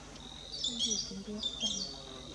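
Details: At Lake Langano, Ethiopia, a spur-winged lapwing gives two quick bursts of sharp, high, metallic chattering notes, with people talking quietly in the background.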